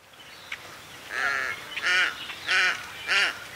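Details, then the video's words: Tricolored heron, also called Louisiana heron, calling in Everglades National Park, Florida, USA, with moorhens and other birds in the background; four harsh, raspy, nasal squawks about half a second each, spaced roughly every 0.6 seconds, over faint background chatter. "Louisiana Heron / MC Calls"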